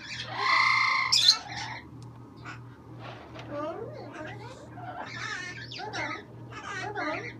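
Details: Pet green-winged macaw letting out a loud, harsh, broadband squawk in the first second, followed by quieter, varied chattering or speech-like sounds over a steady low indoor hum.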